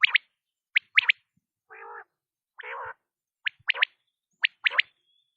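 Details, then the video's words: Quail calling: sharp three-note phrases, one short note then a quick pair, alternating with two low, nasal, growling notes; quiet background. "quail sounds batair ki awaz"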